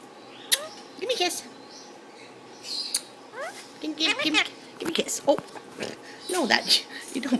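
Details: Pet Indian ringneck parakeet talking indoors to its owner and a neighbouring bird: clusters of quick, gravelly speech-like notes and sharp chirps, denser toward the end, with the owner's coaxing voice.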